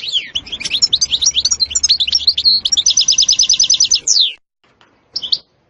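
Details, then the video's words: European goldfinch singing: fast chattering twitters and liquid notes, then a rapid even trill of repeated buzzy notes, a downward sweep, a short pause and a brief closing note. "تغريد حسون روعة ستستة وبتبتة خرافية محفزة جدا goldfinch jilguero chardonneret"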